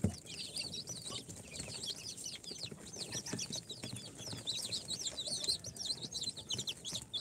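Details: Freshly hatched incubator chicks, day four, Sultan, Golden Sebright, Cochin and booted breeds, producing a continuous tumble of shrill rising-and-falling cheeps, growing denser toward the end, with light scratching sounds.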